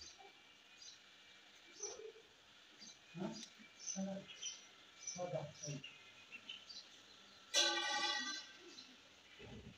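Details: Ring-necked parakeet talking: a run of soft, speech-like syllables over a steady background hiss, ending with one loud, harsh, grating screech near the end.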